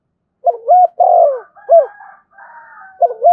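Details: Spotted dove singing in the thổ voice with thúc and kèm styles: low cooing phrases of short rising notes and a longer falling coo, with a fainter higher, drawn-out tonal sound overlapping midway before the coo returns.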